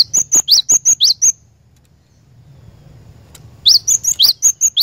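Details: Glatik batu, the cinereous tit, singing a lure song meant to set a caged bird singing nonstop; rapid ringing whistled phrases repeated in a quick series, a pause of about two seconds, then the same phrases resume.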